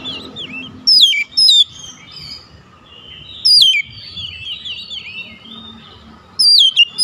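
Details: Oriental magpie-robin calling to others that respond: short loud whistled phrases with steep upward and downward slurs every couple of seconds, softer warbling notes between them, over a low steady hum.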